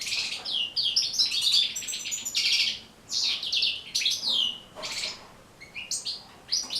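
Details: European goldfinch song used for training birds to sing: dense tinkling twitter with nasal buzzy trills and sliding whistled notes, delivered in bursts with brief breaks.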